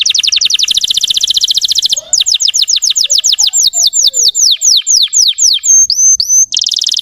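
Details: Provocative song of a Russian canary meant to excite other birds: a very rapid rattling trill, then slower loud descending whistled strokes, ending in thin high notes and another quick trill.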